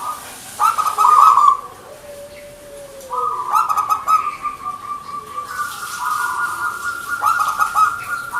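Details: Zebra dove of local Indonesian stock cooing: a run of fast stuttered notes, a lower drawn-out tone, then long sustained trilling coos held steadily for several seconds.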